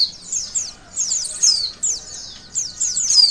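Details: Sharp, thin warbling phrases from a white-eye, used to test a bird's emotion and arousal: four quick bursts of downward-sweeping high notes, each lasting under a second.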